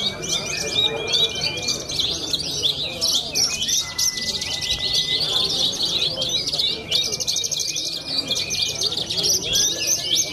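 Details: A young contest-winning Oriental skylark from Cilacap gives a dense, continuous song of rapid high chirps, trills and buzzy phrases with a few long steady whistles; faint voices in the background.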